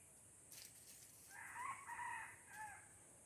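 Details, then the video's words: Aceh junglefowl crowing, recorded 05/01/2020: a faint short note, then a loud raspy two-part crow and a brief trailing note at the end, against constant high-pitched background hiss. "Ayam Hutan Aceh"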